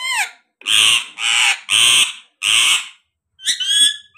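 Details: A pet parrot repeats loud, harsh, grating squawks, four long ones each about half a second, then a quick run of higher squeaky notes.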